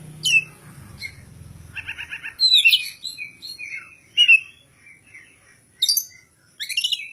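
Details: Kacer (oriental magpie-robin) prepared for a singing competition, singing ngobra without the puffed-up display. Separated bursts of buzzy rattles, sharp high whistles and short chattering phrases are broken by pauses, with low hum early on.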